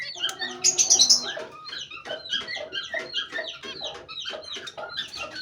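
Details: Pet zebra finches, mostly white, kept in a small breeding cage and given nesting material: a dense burst of high chatter early on, then short bright chirps repeated about three times a second.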